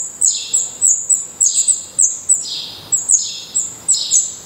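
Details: Black redstart chicks in their nest in Portugal, eyes now open and definitive feathers growing, give high squeaky chirps in pairs and small groups, each note sliding downward, with short silences between.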